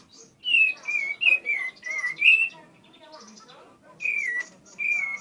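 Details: Tame, persistently singing bar-winged prinia delivers a rapid sequence of six whistled notes rising and falling slightly, a pause, then two more similar whistled notes.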